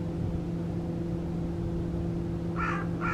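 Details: An escaped captive carrion crow with a torn string on one leg, unafraid of people, near Guia, Cascais, gives two harsh, hoarse caws in quick succession near the end, over a steady low engine-like hum.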